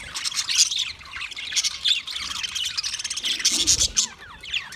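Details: Budgies giving bright squawky chirps and rapid twittering warbles, with clearer individual notes standing out above the chatter.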